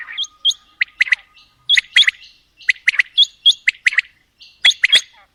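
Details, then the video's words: Quail, female and male, calling in a long mixed sequence. Crisp, emphatic notes fall in fast groups of two or three, repeated steadily about once a second, with a faint steady tone underneath at the start. "Female Batair Calling | Male Batair Sounds | Mix Calling| Batair Ki Awaz | Batair Ki lambi Awazay"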